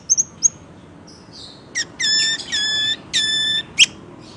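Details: Orange-headed thrush singing in a lively 'gacor' style: a few high thin chirps, then a run of flat, nasal, evenly held notes with strong overtones, broken by sharp high clicks.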